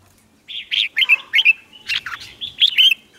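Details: Red-whiskered bulbul contest singing to provoke rival birds: a quick run of short, loud whistled notes, some sliding up and down, delivered in a lively three-second burst after brief silence.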